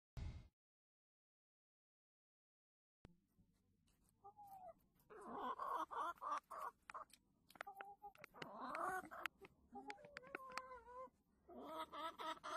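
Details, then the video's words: Chickens in a henhouse: a short burst, then a quiet pause before overlapping clucks and drawn-out, wavering cackles build from several birds at once, with bursts of harsh broadband calls layered over a low background rumble. "ニワトリが鳴いてる雰囲気 動物 鳴き声 鶏舎"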